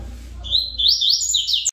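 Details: Double-collared seedeater (coleiro) singing the Tui Tui song style, a good singer: a short run of clear, high whistled notes sliding up and down, delivered as a quick connected phrase over a faint low background hum.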